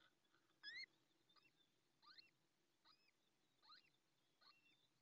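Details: A wet, newly hatched Little Owl chick, the first of its clutch, hatched minutes earlier (20 May 2024, about 06:04) in a nest at La Moraña, Ávila, Spain. With the female briefly away, it gives thin, high, squeaky rising peeps about every second until she returns.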